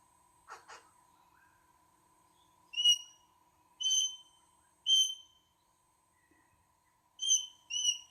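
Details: A rainbow lorikeet visiting a veranda gives six short, shrill whistled notes in loose pairs, a few every second or two, after a brief spoken word, over a steady high hum.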